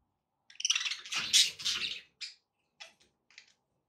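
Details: Pet budgerigars warbling: a continuous scratchy, chattering phrase of about one and a half seconds, then three short separate chirps.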